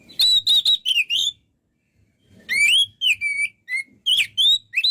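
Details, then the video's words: White-rumped shama (kacer) in energetic song: a run of clear, repeated whistled notes, then a pause of about a second, then varied slurred whistles sweeping up and down. "MASTERAN BURUNG KACER GACOR SEKALI"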